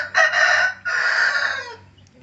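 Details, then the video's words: Crowing hen, rare for a female: a loud two-part crow, a short first burst, a brief break, then a longer held hoarse note that fades out. "ayam betina berkokok"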